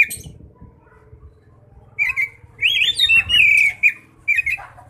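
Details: Oriental magpie-robin singing ngeplong-style to lure other magpie-robins; loud, rich whistled phrases with swoops and warbles over a low, steady hum.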